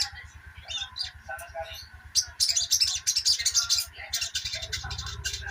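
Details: Busy twittering of a sogok ontong, a therapy recording for birds that will not sing; soft scattered chirps, then a dense, fast stream of high notes, with low rhythmic pulsing throughout.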